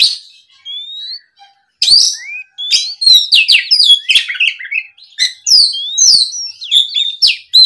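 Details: Oriental magpie-robin singing while provoked by a rival: loud, varied whistled phrases with rising slurs, sharp chips and buzzy rasps in fast bursts, after a slow opening of a single rising whistle.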